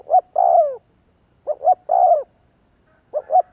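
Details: Spotted dove lure call: quick two-note lead-ins followed by a long, falling, hollow coo, phrases coming in close succession about every one and a half seconds.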